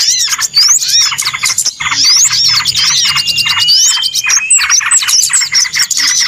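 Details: Lure recording of small birds for bird trapping, noisy and crowded: rapid pulsed chattering runs on without pause, with bright upswept whistles and a long thin steady whistle near the middle.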